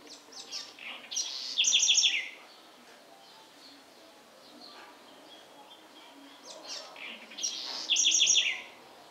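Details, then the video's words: Singing house wren from the Sertão of Bahia, Brazil, delivering two bubbly phrases that build from scratchy chatter into a fast, high, ringing series of repeated notes, with a quiet pause between phrases. "Canto da Garrincha"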